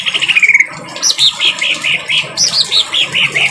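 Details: Greater green leafbird training song in a harsh-voiced style, mixed with rain sounds: a quick buzzy trill, then a run of short, high, clipped notes about every quarter second over a steady hiss.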